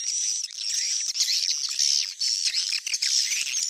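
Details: Swiftlet lure sound of the Tarik Onar type, played to attract swiftlets: harsh, squawking high twitters in overlapping bursts, with a constant shrill tone running beneath and brief gaps between phrases.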